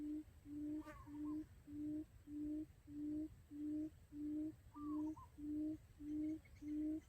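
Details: Steady low hooting of a quail lure call for trapping, loud and even, around eleven notes in seven seconds; two short falling whistles from another bird and a sharp click near the start.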